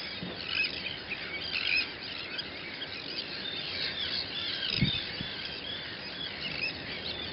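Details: Dense din of many Sandwich terns at Griend on 26 May 2013: harsh, grating calls overlap continuously, with a few dull low thumps partway through.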